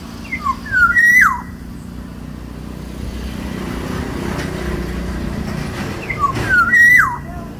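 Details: Large-bodied Black-naped Oriole of the Sumbawa type gives two short fluty whistled phrases about five seconds apart, each with a low note rising to a clear slurred whistle that drops at the end, over steady engine-like hum.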